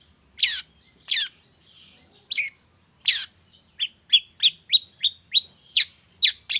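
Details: Morning lure sound of a long-tailed shrike used to set other shrikes singing: a few rasping downswept notes, then a quicker run of short clipped chips repeated about every third of a second.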